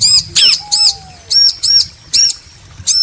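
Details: Bar-winged prinia pair, male and female, trading loud, ringing chirps about every quarter second, broken by a sharp slurred note and a faint low falling whistle.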